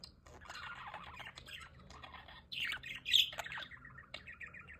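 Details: Aviary budgerigars beside a solar-powered fountain giving a busy warble of scratchy chirps, rising to a sharper, louder squawk burst near the middle before settling into repeated short chips.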